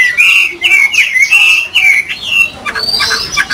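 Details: A caged Chinese hwamei sings after its owner remarks it has not been heard for a long time and sounds quite good. Loud clear whistled notes slur up and down in a quick varied run, with some roughness and faint room noise.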